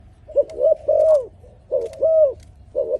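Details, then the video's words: Dove singing: low, mellow arched coos in short grouped phrases, each note bending up then down, with brief pauses between bursts and a faint low background hum. "លលកធ្នាក់នេះសម្លេងល្អណាស់ (លលកធ្នាក់)🥰 Amazing Dove Singing"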